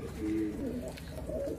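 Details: Pigeon cooing, low soft drawn-out notes with a slight falling glide, followed by a few shorter murmured coos, in a quiet indoor setting with faint background noise.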